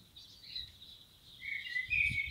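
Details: Wild common blackbird: a soft, thin warble at first, then a stronger, lower fluty phrase with slurred whistled notes toward the end; faint low rumble in the background.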